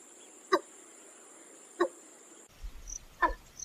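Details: A Watercock, likely a breeding male, gives three hollow, liquid gulps about every one and a half seconds, like a water bottle emptying, over a steady high insect hiss.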